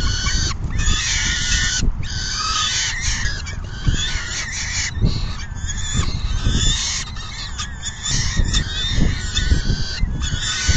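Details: Peregrine falcons at the nest during a full feeding on June 10, 2022, around 4:08 PM, the male leaving once full; harsh, harmonic wailing calls repeat almost continuously over a steady low rumble.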